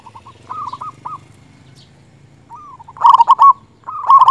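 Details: Singing local zebra dove, a big-voiced bird meant to lure and provoke rivals: a few soft, spaced coos at first, then two loud bursts of rapid, resonant cooing near the end.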